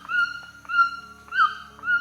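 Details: Recording of a white-throated toucan used to show how bird-identification software works: drawn-out whistled notes repeated about every half second, one louder note sliding up then down, with faint low music underneath.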